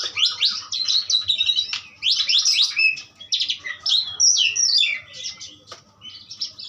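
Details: Asian pied starling pouring out continuous scratchy, chattering song with quick mixed squeaks and whistles, barely pausing for breath.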